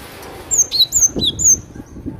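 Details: Cinereous tit giving a short run of high slurred whistles, alternating higher and lower notes in quick succession, with soft low rustling underneath.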